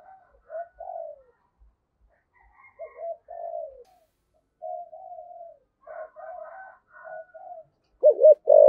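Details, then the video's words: Luring call of a spotted dove, 'giọng thổ' voice: soft, hollow coos in uneven phrases, some drawn out and wavering, ending in a louder doubled coo; faint higher overtones, otherwise quiet. "cu gáy giọng thổ, cu gay giong tho cuc dinh gay gọi"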